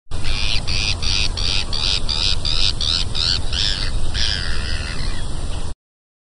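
Bonaparte's gull gives a fast series of harsh, rasping, tern-like notes, about three per second, ending in a longer grating call, over a steady low rumble.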